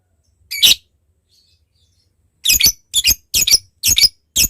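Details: Lovebird calling a rival: one sharp squeaky note, a pause, then a string of five harsh high chirps about half a second apart.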